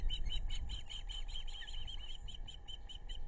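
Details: Osprey family of two parents and two chicks in the nest along the Narrow (Pettaquamscutt) River, South Kingstown, Rhode Island, on July 11, 2022, from a nest webcam: rapid, steady series of high chirping whistles, with low rumbling wind noise.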